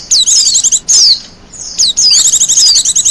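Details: Wild Japanese white-eye singing, a recording meant as a lure and master song: two bursts of rapid, high, thin twittering notes with slurred whistles, separated by a short pause.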